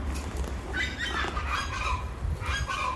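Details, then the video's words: Chachalacas calling: harsh, raucous squawking bursts from about 0.8 seconds on, over steady low rumbling background noise. "Se me adelantan las chachalacas"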